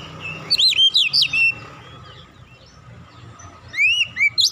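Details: Oriental magpie-robin song laced with imitated cinereous tit phrases, used as a training lure: two bursts of loud, swooping, whistled notes repeated rapidly, separated by a quiet gap with faint low hum.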